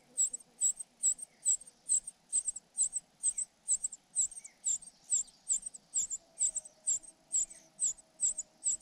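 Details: Young cuckoo raised by foster parents, calling to be fed: a long regular run of sharp, very high squeaky notes, roughly two each second, with a soft low hum behind.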